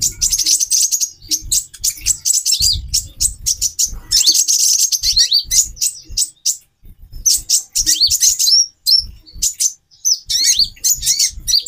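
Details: A caged female brown-throated sunbird calls to stimulate a male's mating urge: sustained rapid high-pitched chattering and repeated rising chirps, broken by brief gaps, with soft low thumps.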